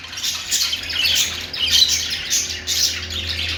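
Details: Australian parrots sing in short scratchy bursts of squawks and chirps, overlapping voices with brief dips between phrases and a low hum underneath.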